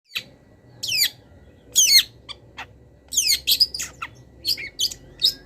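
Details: Long-tailed shrike singing a master song for training cage birds, full of wild-bird fill-in notes: short steep downward-sweeping whistles and sharp chips in separate bursts, each under a second, with quiet gaps between.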